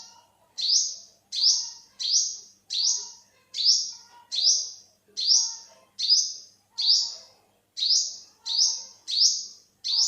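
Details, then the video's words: Olive-backed sunbird from a 2021 recording repeating a high, ringing upslurred note about thirteen times, steady and rhythmic, with faint lower twitters in the background. "เสียงนกกินปลีอกเหลือง Olive-backed sunbird, Yellow-bellied sunbird"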